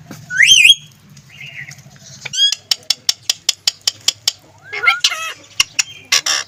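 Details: Green ring-necked parrot talking indoors: a high wavering squawk and short gravelly phrase, then a rapid series of about a dozen sharp clicks, ending in twisting nasal syllables and a final harsh note.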